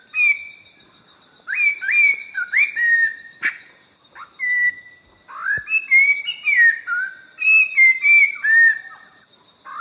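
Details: Orange-breasted laughingthrush from the Langbian Plateau highlands, southern Vietnam. It sings a series of rich whistled notes, many rising sharply and then falling away, grouped in short bursts with gaps. A faint steady tone sounds behind it.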